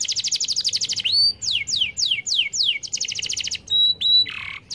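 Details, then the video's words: Long, unbroken canary song meant to lure quiet canaries into singing, made of rapid buzzing trills, then a row of descending slurred whistles, flat pure whistles and a short rasping note. "Gacor durasi kereta api | Pancingan efektif kenari macet"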